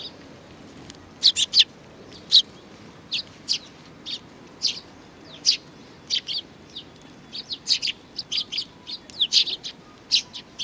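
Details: Sparrows chattering at a Tenmangu shrine, 4 July 2019, with high, clipped chirps repeated irregularly throughout, some in quick doubles and triples, over a quiet background.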